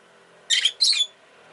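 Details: Rosy-faced lovebird chirping indoors: two harsh, buzzy chirps in quick succession, each about a quarter second long, in otherwise quiet surroundings.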